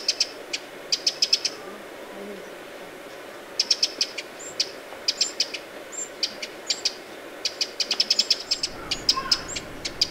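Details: Alarm calling from a Eurasian wren at Lake Vänern, Sweden, late July 2017: scattered sharp ticks and quick rattled bursts, irregularly spaced, over a hissy background with a faint low rumble near the end.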